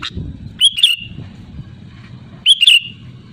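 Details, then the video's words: Sooty-headed bulbul giving loud calls aimed at rivals, used as a lure: two short bubbling whistled phrases about two seconds apart, each trailing off downward, against a continuous low hum. "SUARA ASLI BURUNG KUTILANG GACOR LANTANG MEMANGGIL LAWAN"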